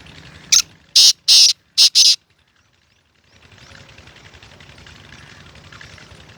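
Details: Kept Black francolin calling loudly: five harsh, grating bursts delivered rapidly in about one and a half seconds, then a pause, followed by faint background hiss and rustle.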